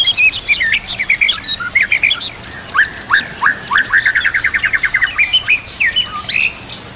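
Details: Training song of a white-rumped shama, heard with background nature sound and running water: a fast, varied stream of whistles and a long rapid series of repeated notes, over a constant hiss.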